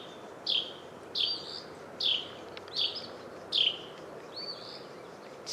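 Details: A Carolina Wren gives its alarm call at Warbler Woods in Cibolo, south of New Braunfels: harsh, buzzy rasps, about one per second, five or six in a row, over a soft background hiss.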